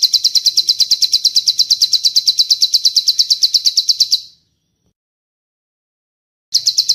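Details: Bar-winged prinia master recording with cililin phrases, made for training: quick, piercing, high chirps in a steady series, about three a second, then roughly two seconds of silence before the series resumes.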